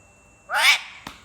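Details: Pet parrot kept at home and said to talk in Urdu, giving one short harsh squawk with a rising harmonic sweep; a person says "oye" around it and a faint click follows.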